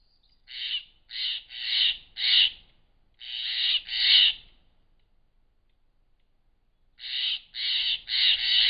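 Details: Harsh grating calls of Steller's jays mobbing a barred owl, Klamath Mountains, June 2017; loud rasping notes in a run of four, a pair, then a long silence before three more.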